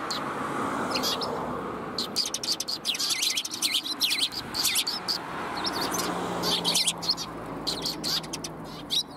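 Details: Flock of sparrows coming to be fed, 20 March 2021: lively, overlapping high chirping that swells into a busy chatter through the middle, then thins to a few separate tweets, over a low background murmur.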